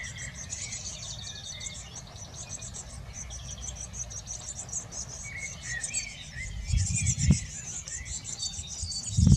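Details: Blue tits tending young at a nest box in a garden: busy, very high twittering chirps throughout, some lower chirps in between, and a few loud low thumps and knocks toward the end.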